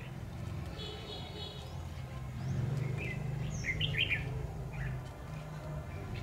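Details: Red-whiskered bulbul used as a decoy bird in a trapping test, giving a few short, bright whistled notes midway, over a steady low rumble of background noise.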